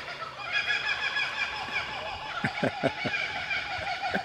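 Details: Kookaburras at a botanical garden near Buderim, Queensland, on 15 August 2013 break into a raucous, cackling chorus, one starting after another in rolling, laugh-like hoots and chuckles, with a person speaking nearby.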